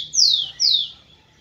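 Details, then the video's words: Rufous-collared sparrow song meant to stimulate females: two loud, pure whistles, each sweeping steeply downward, the second following after about half a second. "ESQUENTE seu TICO-TICO no Máximo e ESTIMULE suas FÊMEAS a aprontar!"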